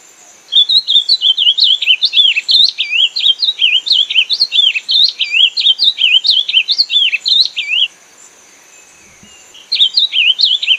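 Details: Ultramarine grosbeak, a Brazilian finch-like bird with a melodious voice, singing a long fast phrase of looping, up-and-down whistled notes for about seven seconds, then a pause before the song resumes.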